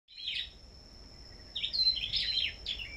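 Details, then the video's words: Sâu đầu đỏ songbirds at a bird farm, singing in competition. Short, bright chirped phrases: one burst near the start, then a denser run of twittering notes in the second half. A steady high electronic whine runs throughout. "Sâu Đầu Đỏ Hót Đấu Đủ Loại"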